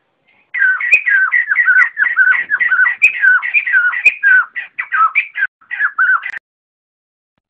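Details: White-crested laughingthrushes calling the flock together, recorded without background noise for bird trapping: a lively, unbroken chain of loud, bouncing whistled phrases, about six seconds long, with a few sharp clicks mixed in.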